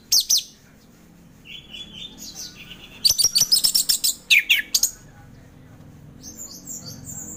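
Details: Orange-headed thrush in ngeplong style: a brief high chirp, soft warbled phrases, then a run of rapid clipped notes repeated about six times per second, ending in a thin high trill.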